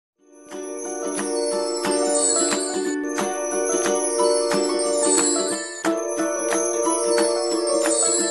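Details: Bright, ringing bell-like music plays steadily throughout, with rhythmic chimes and sustained tones; no animal sounds are heard.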